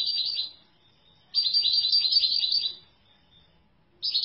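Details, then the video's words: European goldfinch song: bursts of fast, high, tinkling twitters, a short burst, a longer run of about a second and a half after a pause, then another burst starting at the end. Otherwise quiet. "افضل صوت بلبل حسون"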